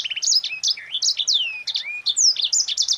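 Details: Yellow-fronted canary, known locally as sanger, singing a tight rolling ngerol rapat song used to train and stimulate other birds: rapid, continuous high whistled notes and sweeping slurs, densely packed with almost no pauses.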